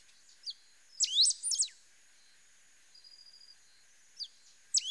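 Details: Pale-throated pampa-finch song: a tight cluster of loud, high, hooked and rising notes, a pause with a faint even whistle and a few soft ticks, then an isolated chirp and the phrase starting again.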